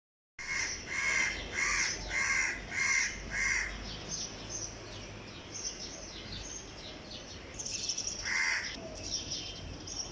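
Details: Crow calling at 5:36 am on 14 May 2020 in Dhaka City, Bangladesh, during lockdown: a run of six harsh caws about half a second apart, then quieter background with thin high chirps from other birds.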